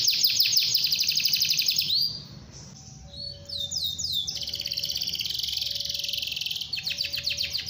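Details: Rolling canary song, long and continuous, used to spur other canaries to sing: quick repeated sweeping notes, a brief pause, then a sustained buzzy high trill, with a faint steady low tone in the background.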